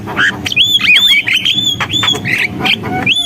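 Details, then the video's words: Javan myna in gacor song, delivering a loud chain of clear whistled notes with bright overtones, swooping up and down, broken by brief harsh squawks and clicks. "JALAK KEBO GACOR, SUARA JALAK KEBO"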